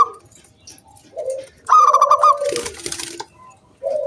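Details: Local zebra dove singing, used as a lure to prompt other doves to sing; a brief trilled coo burst followed by low, drawn-out coos, with short pauses between phrases.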